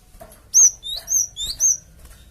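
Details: Lure call of a Java sparrow meant to draw answers from other birds: four quick thin whistled notes alternating a high slurred tone with a lower rising one, evenly spaced over about a second.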